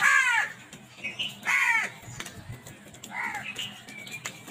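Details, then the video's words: Crows fighting violently over food give loud, harsh, rasping caws, several in quick succession and roughly a second apart, with a fainter caw near the end over a busy background of clicks and rustles. "Crows violent attack on food | Beautiful crow sounds"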